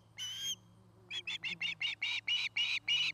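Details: Nesting osprey on a Charlo, Montana nest cam, 2018: one drawn-out whistled note, a pause, then about ten short chirps that speed up and grow louder, all over a faint low electrical hum.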